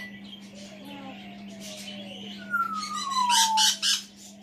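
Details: Captive African grey parrot perched on a chair, vocalising to himself: quiet mumbled inflections, then a clear falling whistle sliding downward, followed by a few loud harsh squawks near the end, with a constant background hum.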